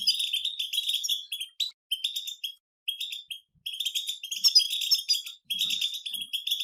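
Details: Group of wild European goldfinches chorusing in 'batbata' chatter: rapid, tinkling twitters and metallic buzzes in overlapping phrases, broken by brief gaps near two and five seconds, with a louder bright flourish around four and a half seconds.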